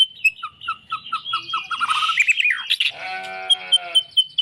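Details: Murai batu, the White-rumped shama, repeating short whistled notes, then a burst of harsh, scratchy notes in the middle, then back to evenly spaced clear whistles.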